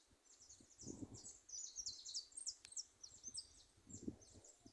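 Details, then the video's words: Free-flying goldfinches singing in a small wood: rapid, high chirping twitters repeated steadily throughout, over faint rustling and murmured voices in the background. "jilgueros cantando sueltos en un montecito"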